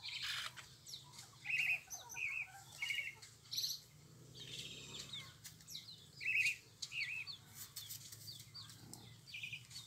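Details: Pale-breasted thrush (sabiá-coca) singing: short warbled, whistled phrases at mid-high pitch, delivered singly with pauses of about a second between them, over a faint steady low hum.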